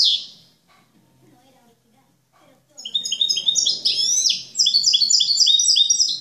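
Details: After a short sharp call and near silence, a European goldfinch praised as a flawless teacher bird launches into clean cante limpio song, fast bright twittering phrases of high liquid notes repeated in quick succession.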